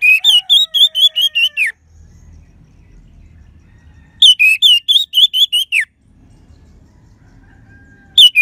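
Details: Orange-headed thrush singing vigorously, used as a lure for lethargic or silent birds; long runs of about eight ringing, harmonic whistles, each ending with a downward slur, repeated after pauses of about two seconds.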